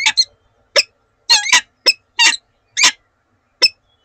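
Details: Pair of peregrine falcons calling to each other in the morning at Oudenaarde, Belgium, 7 March 2020: separate rasping chips, single or doubled, at irregular intervals of about half a second.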